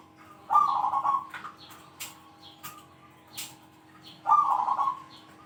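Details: Zebra dove with a big 'kung' voice, singing actively and said to call out rivals: a loud, rolling, warbled coo of about 0.7 s, repeated about four seconds later, with faint clicks and soft chirps between the bursts.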